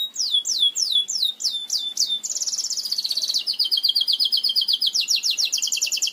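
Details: Belgian canary song, used to teach canaries to sing: a run of rapid falling whistled notes repeating about four times a second, then a buzzy high rolling trill and faster sweeping tours at a steady pace.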